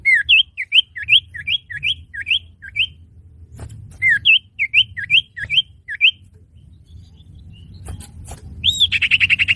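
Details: Common iora played as a trapping lure: two bursts of repeated swooping chirps, each note dipping then rising, about three per second, then a pause and the start of a rapid pulsed trill.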